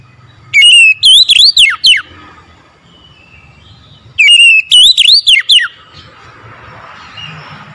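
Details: Oriental magpie-robin singing in the morning: two loud bursts of clear whistled notes, a steady whistle followed by rapid swooping, rising and falling phrases, separated by a few seconds of quiet.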